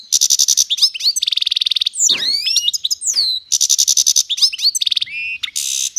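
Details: Goldfinch × canary hybrid (mule) singing alongside a goldfinch: fast varied phrases mixing dry rattling trills, sweeping whistled slides and twittering chirps, delivered almost without pause.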